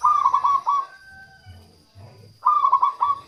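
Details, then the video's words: Zebra dove of a local strain singing, as used to lure wild doves: two quick rolling, stuttered coo phrases a couple of seconds apart, with faint low cooing murmurs and a thin steady tone behind. "suara perkutut lokal untuk pikat dan pancingan"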